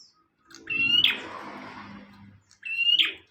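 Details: Bar-winged prinia, sung as tutor material for other birds: two ringing phrases, each a sustained high whistle ending in a sharp buzzy burst, about two seconds apart, with a steady low background murmur in between.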